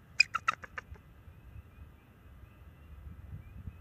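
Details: Bald eagle at its nest on March 7, 2024, vocalizing to warn a nearby owl to stay off: a brief rapid string of shrill, squeaky notes that trails off into quiet low hiss.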